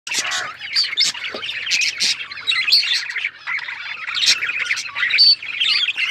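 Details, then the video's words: Male budgerigar singing its mating song: a continuous, chattering warble of rapid chirps and scratchy squawks, with brief clear whistled notes breaking through the busy twittering. "Budgie male singing budgies mating sound"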